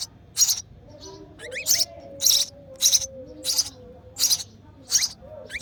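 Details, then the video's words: Baby sparrow in the nest chirping for its feeding mother, giving eight sharp, high, rasping bursts at a steady pace, with a faint low hum underneath. "Hungry Baby Sparrow: Sparrow Mother Feeding Their Chick in The Nest With Baby Sparrow Chirping Sound"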